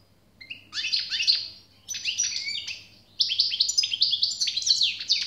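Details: Three bursts of European goldfinch song, each a sparkling tumble of quick chirps and slurred whistles, with brief gaps between them.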